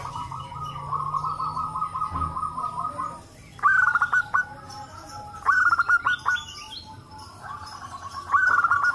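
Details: Group of local zebra doves calling back and forth, played to encourage other doves to call: a steady stretch of fast-pulsed cooing, then three short bursts of louder, rattling trilled notes.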